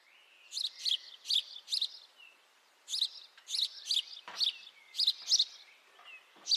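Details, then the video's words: House sparrow giving bright chirping calls in quick groups of three or four, with a short pause between bursts; faint chirps of other birds behind. "House sparrow call, beautiful house sparrow sound [High definition sparrow chirping]"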